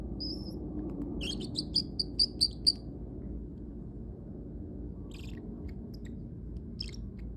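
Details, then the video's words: Pet parrotlet giving a brief whistled note, then a quick run of about eight sharp high chirps, followed by softer scattered clicks and squeaks against low indoor hum. "parrotlet making cute sounds"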